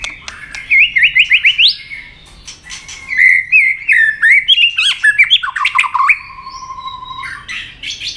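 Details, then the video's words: White-rumped shama being stimulated to fight-sing; a rising trilled run, then varied twisting whistled phrases and chattering notes, closing with a long low steady whistle and a harsh burst. "kích lửa cho chòe lửa hót"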